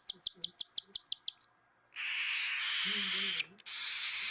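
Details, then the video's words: Hand-fed baby albino cockatiel, a hungry female, begging. Quick dry clicks are followed by a long harsh hiss with a faint low moan underneath, said to sound like a dinosaur. "Baby Cockatiel broken..she sounds like a Dinosaur(Hungry Cry)"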